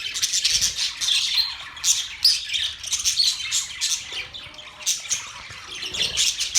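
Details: Several budgerigars chirp together in a steady stream of scratchy, squeaky warbling, punctuated by sharper squawk-like notes every second or so.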